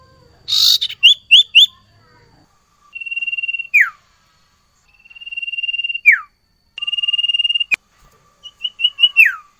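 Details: Energetic sirtu song packed with mimicked fill-ins, locally called nyiul nyiul: a harsh burst, then long steady high whistles each ending in a sharp downward slur, repeated three times, followed by quick chirps.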